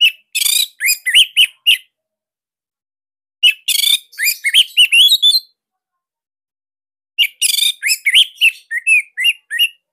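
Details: Bali orange-headed thrush, a caged bird kept as a master recording to prompt other thrushes to sing, in a loud, tight 'tembakan sirtu' style: three bursts of rapid whistled and chattered notes, each about two seconds long, with pauses between.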